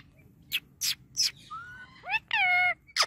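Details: Pet Indian ringneck parakeet talking nonstop. Short sharp high notes, then rising and level harmonic voice-like phrases in a quiet room.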